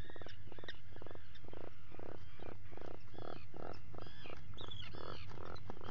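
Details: Atlantic puffins in their nest burrow at breakfast just before 5 a.m. on 28 June 2019, picked up by a live burrow camera: a throbbing, pulsed groan in quick beats, with thin squealing bird calls above and steady low hum.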